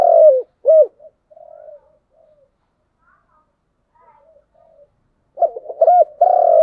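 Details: Spotted dove, giọng đồng cooing: two loud arched coos open, then soft trailing murmurs and a long quiet gap before a new phrase of stuttered notes rising into a long sustained coo.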